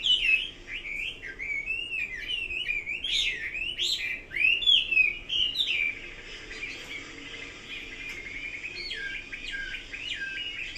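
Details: Chinese hwamei song of fast, varied whistled phrases and twisting slurs, loud in the first half, then continuing more quietly and steadily.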